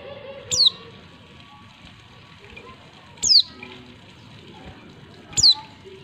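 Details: Female white-eye calling to stimulate males to sing, used to provoke lazy or flock-kept males into answering quickly as in the wild: short thin high descending notes, three spaced about every two and a half seconds, faint background hum.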